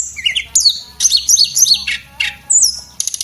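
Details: Short burst of song from a male Javan whistling thrush, a tutor recording for cage birds: clipped high whistles, falling slurs and quick twittering notes, ending in a rapid buzzy rattle.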